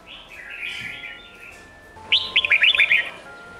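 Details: Red-whiskered bulbul of the Sông Kôn song type, played to train juvenile birds for singing contests: a low, soft warbling passage followed by a crisp, fast run of bright chirps lasting about a second.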